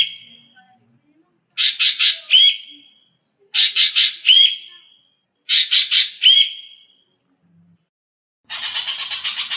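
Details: Common green magpie giving harsh grating triple squawks ending in a short upward whistle, repeated about every two seconds, then a longer buzzy rattling burst at the end.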